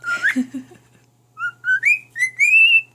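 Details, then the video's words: Male pet cockatiel singing songs to his mate indoors, who is less than impressed: a brief harsh chatter, then a melodic phrase of clear whistled notes rising step by step into a sustained high tone. "Talking Cockatiel talks, and sings, and plays Peek-a-boo!"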